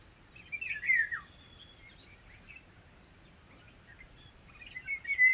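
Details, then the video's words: Red-wattled lapwing chicks (Titehari): a loud, plaintive call slurring steeply downward near the start, then quiet with scattered faint chirps, and a second falling call at the close. "Red wattled (Titehari)Baby|Bird sounds|Cute Titodi Baby|"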